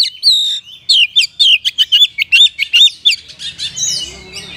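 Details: Oriental magpie-robin, a caged songster giving rich fill-in song to stimulate sluggish birds: a steady rapid series of loud, hooked whistled notes, fading into softer warbles at the end.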